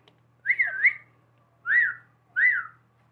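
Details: Human-like whistling from a pet talking parrot: a wavering two-part whistle followed by two separate arched whistled notes, each rising then falling, spaced about a second apart.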